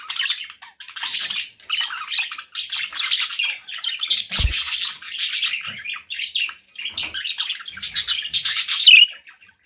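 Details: Budgies kept as pets chirping and warbling in dense scratchy chatter, a single low thud near the middle, ending on a louder sharp squeak.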